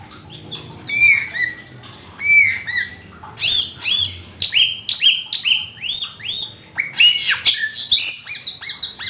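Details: Asian pied starling in a songbird-training master recording: loud, repeated squawky notes with upward-curving whistled tones, at first spaced about a second apart, then tumbling into a fast, dense run of chattering calls.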